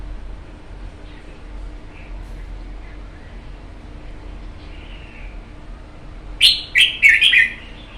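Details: Red-whiskered bulbul kept in a cage for one month after capture: long near-silence with faint soft notes, then a sudden loud, rich warbled phrase of three or four quick notes near the end.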